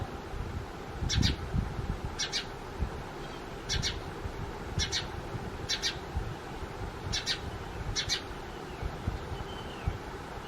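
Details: House sparrows at a cardboard nest box they quickly occupied; short bright chirps repeated roughly every second and a half over steady low background rumble.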